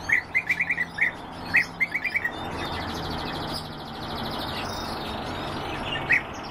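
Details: European bee-eater calls: short clipped rolling notes given in quick clusters of three to five, then a lone note near the end, over a steady background hiss.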